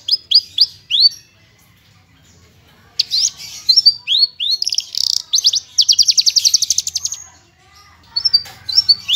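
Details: Javan bush lark of the parva form, a training recording of its full song with rapid bursts, clear-voiced: sharp rising whistled slurs in quick series, then a dense buzzy burst of fast repeated notes, more upslurs after a pause.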